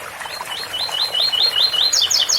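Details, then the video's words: Double-collared seedeater giving 'ouro fino' song, 8x4 - 7x4 pattern, with running fountain water: a fast, even string of bright whistled notes, each slurring up then down, ending in higher, sharper double notes. "Coleiro ouro fino 8x4 - 7x4 com som de fonte de agua"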